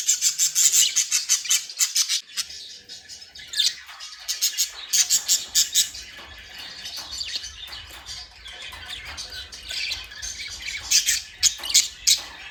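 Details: Budgerigars at play chatter in quick runs of sharp, repeated chirps and warbles, loud at the start and end with a softer, scratchier stretch in the middle.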